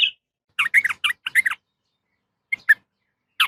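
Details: Female yellow-vented bulbul calling a male: a short high note, then a quick run of five or six bubbly, chattering notes, with two isolated chirps and a final note after a pause.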